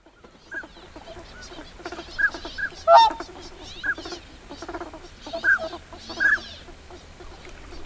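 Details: Whooper swans on a lake become busy with many loud calls: short trumpeting honks at an uneven pace, a louder burst partway through, over a murmur of other waterfowl including pintail ducks.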